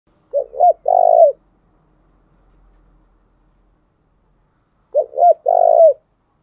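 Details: Spotted dove decoy song, used to provoke wild doves and train lure birds: two short coos and a long throaty one-note coo, the three-part phrase given twice about four and a half seconds apart, with silence between.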